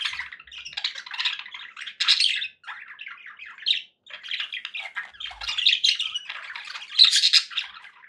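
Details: Happy budgerigars chattering continuously in a room, raspy warbles and squawks rising and falling in loudness, with brief pauses and a loud burst near the end.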